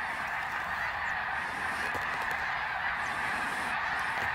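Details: Greater snow geese migrating overhead near Ottawa, Canada, in fall 2021, with hundreds of thousands in the sky; a dense, unbroken chorus of many overlapping nasal honks blends into a steady roar.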